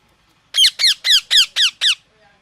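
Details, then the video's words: A parrot screeches six times in a steady, rapid series. Each harsh call is strongly harmonic and falls in pitch, evenly spaced about a quarter second apart, in a quiet setting. "Loud parrot sound"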